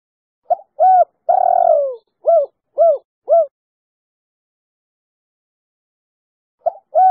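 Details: Female spotted dove with a clear three-note 'kuk 3' coo, used as a lure to draw other doves into calling: a short note, a coo, a long falling drawn-out coo, then three short even coos. After a pause the next phrase begins. No other sounds.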